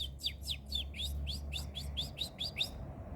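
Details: A pair of saffron finches feeding: a rapid series of about eleven bright, sharp chirps, each note sweeping downward, delivered at roughly four per second over a low, steady background rumble.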